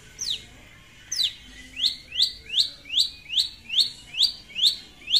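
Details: Long-tailed shrike in lively song calling out a rival: two harsh downslurred notes, then a fast even series of bright upward-rising notes, about two and a half per second.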